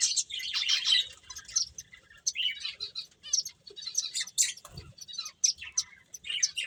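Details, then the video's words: Finches playing and chirping: a dense, overlapping chatter of short, high, thin chirps and tweets with brief pauses and a few lower notes. "Cute Birds Chirping Sounds | Beautiful Finches Playing"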